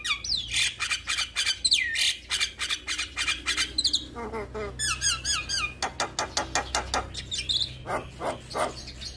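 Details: Male Javan myna in full, active song, meant to prompt other mynas that hear it to sing: a fast jumble of harsh squawky notes, sweeping whistles and short buzzy bursts, packed closely throughout over a steady low hum.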